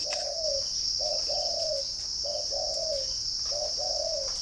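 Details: Spotted dove in a bird garden in Ba Vì, Hanoi, northern Vietnam, giving mellow low coos: a short note followed by a longer falling note, three such phrases, over a steady high insect drone.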